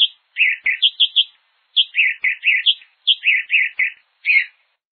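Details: Hepatic tanager of Brazil delivering phrases that start with a high clear note and fall into several lower hoarse, burry syllables, repeated about every 1.5 seconds; quiet background with faint clicks.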